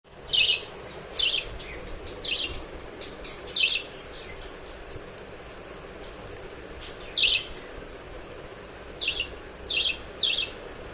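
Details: Budgerigar chicks being hand-fed give short, harsh, high squeaks in irregular bursts, begging for food.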